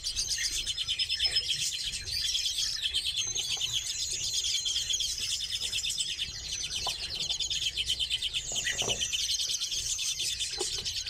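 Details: Redpolls held in captivity produce an unbroken stream of rapid, rattling trills and thin chirps, with many birds calling at once.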